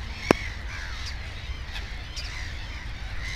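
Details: At a nest with two chicks, a black-headed gull gives short, scratchy calls at irregular intervals after one sharp click, with fainter gull voices and a low rumble behind.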